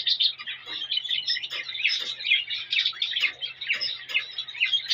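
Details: A male cockatiel's mating song directed at a female: continuous, busy high warbling with overlapping chirps and short whistles, steady in loudness throughout.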